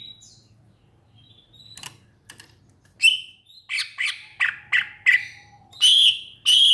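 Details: Greater green leafbird, known locally as cucak ijo, singing a fast sequence of harsh, chattering notes in quick succession, opening with thin whistles and ending with two loud ringing phrases.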